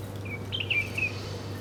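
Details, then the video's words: Birds feeding at breakfast time give a few short, high chirps and a quick warbled twitter, each under half a second, over a steady low hum. "Different Birds Chirping Sound || Birds Are Breakfasting || Birds Eating Food"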